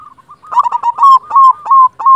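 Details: Zebra dove, a local silver-coloured bird in full voice, gives a few soft coos, then a loud run of throaty, rolling notes alternating with clear, slightly falling cooing phrases near one pitch.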